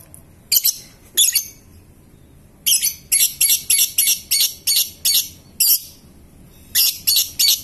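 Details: Lovebird giving ngetik and ngekek song: harsh, buzzy chattering notes in short bursts, then a run of about a dozen evenly spaced rasping notes, each a fraction of a second apart, with brief pauses between groups.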